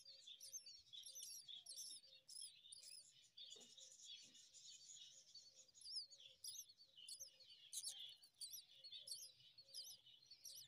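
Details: Myna nestlings chirping for food while being fed worms by their mother; a continuous chorus of shrill, high chirps in quick overlapping bursts, with a faint lower repeated note underneath.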